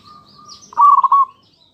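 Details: One brief rolling, trilled coo from a local zebra dove, used as a lure to draw replies from other doves, following a faint softer note. Light high twittering behind.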